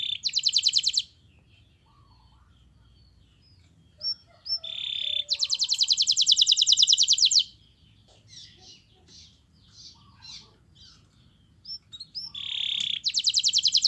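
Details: Canary master song used to prompt other canaries into singing: loud, high, rapid buzzing trills in bursts separated by quieter pauses holding faint scattered chirps.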